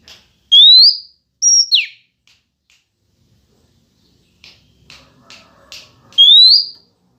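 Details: Female Oriental magpie-robin calling to stir up males. Brief broken song pieces: a rising whistle, a high note dropping sharply, several short dry clicks, then another rising whistle.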